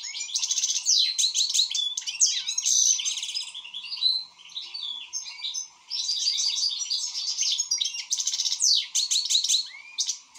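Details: An actively singing European goldfinch delivers almost unbroken rapid chatter of tinkling, buzzy and sweeping notes across the whole stretch, over a faint steady hum.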